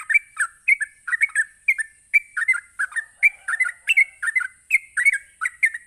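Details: Provoking 'ropelan' song from a sooty-headed bulbul: a rapid chatter of warbled, rising and falling notes, about three per second, with a continuous faint high-pitched hum underneath.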